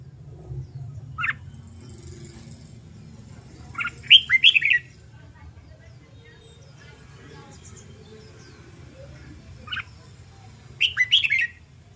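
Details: A red-whiskered bulbul being trained to sing for contests gives brief clear whistled phrases, a single note followed by a fuller run of four or five slurred notes, twice, with a faint low hum behind.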